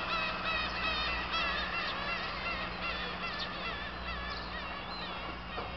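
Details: Black-tailed gulls at Kabushima on 2 August 2012, after fireworks: many overlapping nasal, wavering mewing calls repeated rapidly, layered over a steady low rumble and broadband background noise.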